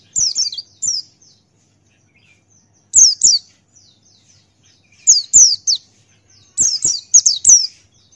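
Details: Male Buxtoni white-eye singing in ngalas style: groups of two to five high, thin, downslurred chirps spaced about two seconds apart against near silence.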